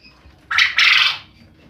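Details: Calling male quail, loud enough to keep neighbours from sleeping, gives one rasping, buzzy two-part burst: a short first note, a brief gap, then a longer second note that fades out.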